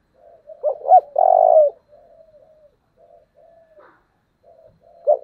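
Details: Spotted dove giving a tense local-style coo, presented as a standard model for decoy birds: a few short stuttered notes then one long low coo, followed by faint soft notes.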